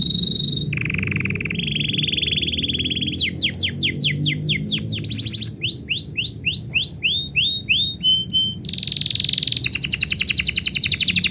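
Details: Canary singing when its owner is about to go out: a long varied song of steady whistled tones, rapid rattling trills and series of sharp descending sweeps, switching phrase type every second or two.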